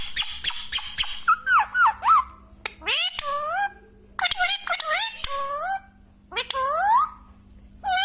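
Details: Pet parrot chattering indoors in short speech-like bursts, with sharp clicks and squeaky, bending whistled syllables that rise and fall, separated by brief pauses, over a faint steady hum.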